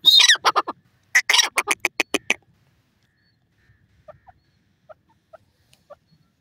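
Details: Francolin (dakhni teetar) from Pakistan: a short burst of harsh squawks followed by a fast run of clipped, rattling notes slowing to a stop, then near silence with a few faint distant chirps.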